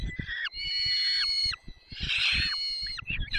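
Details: Two long, screaming wails from a peregrine falcon at feeding time, Barycz Valley, 20 May 2021, 10:22, each sliding down at its end, with low knocking sounds behind them.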